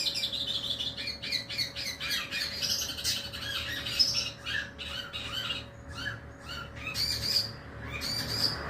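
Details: Long-tailed shrike giving rapid bursts of harsh, scratchy squawks and chattering notes, some with thin high glints, over a steady faint hum.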